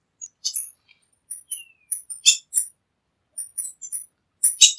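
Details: Tanager giving a scattered series of high, sharp chips and short squeaky notes with one thin falling whistle, in irregular clusters.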